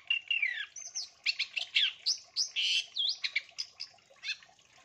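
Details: Long-tailed shrike singing in a training recording meant as a lure for other birds, full of fill-in phrases: rapid, varied high chirps, downslurred whistles and scratchy notes, about three per second, with no other clear sounds.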